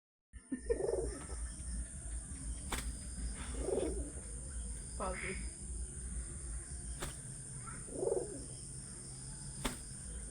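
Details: A pet pigeon described as sulking and angry gives short, low, muffled coo-like bursts about every two to three seconds, over a steady hum and a high electronic whine, with occasional clicks.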